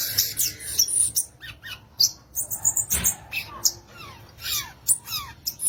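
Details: A violaceous euphonia sings rapid, varied phrases of high twitters, buzzy chips and a series of quick falling slurred whistles near the middle and end.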